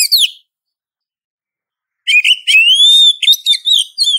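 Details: Female Oriental magpie-robin calling a male: a brief falling note, a long silence, then a phrase of short whistles that leads into a long, smoothly rising whistle and a few clipped notes.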